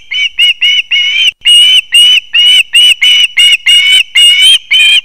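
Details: Young ospreys calling at their pine nest in Kurzeme, Latvia, September 2024, while the male delivers a fish; a steady run of strong, harsh whistled notes, some drawn out, repeated about twice per second without break.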